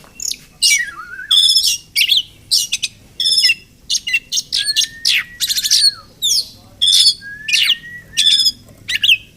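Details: Oriental magpie-robin (Murai Kampung), wild, near a village home where it may nest; spaced harsh buzzy bursts alternating with long slurred whistles, roughly one to two notes per second, recorded on limited equipment.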